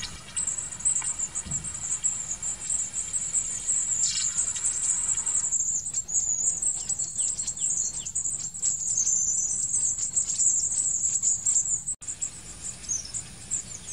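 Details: Long-tailed tit producing an almost continuous stream of high, thin, twittering notes that waver slightly in pitch, with a short break near the end.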